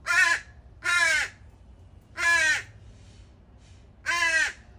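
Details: Four long, coarse, insistent caws from begging young crows left at a morning feeding spot by at least three families, each lasting about half a second, with faint hissy sounds between the third and fourth.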